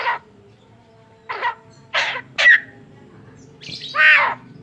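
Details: Tame Javan myna, a bird said to talk and cough, uttering five separate hoarse, raspy bursts spaced about a second apart, the last longest and loudest, over a quiet background hum.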